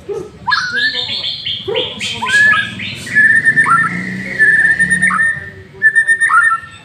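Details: White-rumped shama lure song opening with a quick descending cascade of bright notes, followed by long level whistles broken by short dips.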